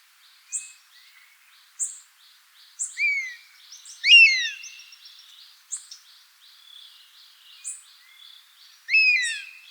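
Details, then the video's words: Buzzard calling in its natural habitat: several loud descending, mewing whistles spaced a few seconds apart, mixed with regular short high chirps from another bird and a continuous high insect buzz. "Buzzard Sound | Hear the Wild Call of a Majestic Bird of Prey"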